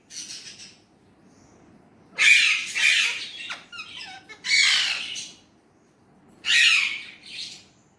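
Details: Indian ringneck parrot speaking Urdu/Hindi, a faint opening phrase, then three loud raspy two-syllable utterances spaced by pauses.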